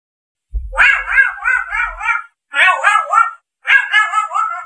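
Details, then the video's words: A grey parrot gives three harsh, nasal, wavering calls, each about a second long and quivering rapidly in pitch, with short pauses between them. "SUARA GREY PARROT"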